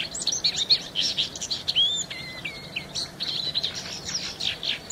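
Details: Busy, scratchy warble from a paddyfield warbler mixing chips, short whistles and a few clearer slurred notes, over a noisy background.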